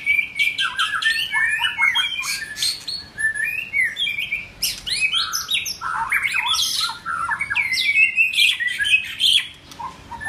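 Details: White-rumped shama in form building delivering a long, complex song of varied whistles, chattering bursts and rapid slurred notes, rising and falling in quick succession with brief gaps, a faint low hum behind.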